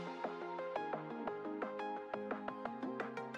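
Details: Soft melodic music with steady plucked notes and sustained tones; no animal calls can be heard.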